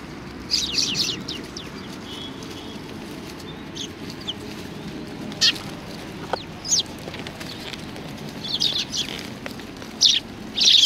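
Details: Sparrows gathering to be fed at a Tenmangu shrine, 25 November 2020; scattered brief chirps in small bursts separated by quiet gaps of a second or more, ending with a louder flurry, over a steady low hum.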